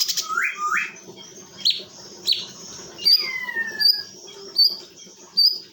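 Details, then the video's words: Chinese bulbul, a caged tutor bird from East Bekasi, Indonesia: two quick rising whistles, a pair of sharp notes, then a long falling whistle followed by thin high ticks repeated about once a second. "Cucak Cungkok || Burung Masteran atau Guru Vokal yang Handall!!"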